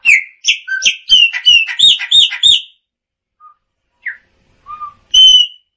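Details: Singing Chopi blackbird delivering a rapid run of about a dozen bright, rich whistled notes over two and a half seconds, followed after a pause by scattered short whistles and a loud clear note.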